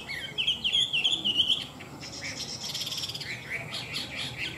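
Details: A tame, well-singing, large-bodied Chinese hwamei sings a loud, rich run of quick, varied whistled phrases that waver up and down, then gives softer, scratchier notes.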